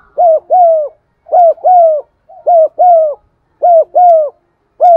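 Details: Spotted dove giving deep cooing and urging calls, played to stimulate and lure other doves; short mellow coos in close pairs, each pair repeated about every second, clean with no other sounds.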